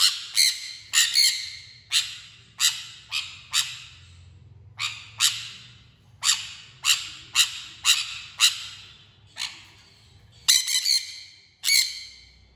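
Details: Harsh, piercing screeches from a sun conure, repeated steadily roughly every half second to one second for over twelve seconds, sometimes in quick pairs or triplets, with echoing tails and a soft low rumble beneath.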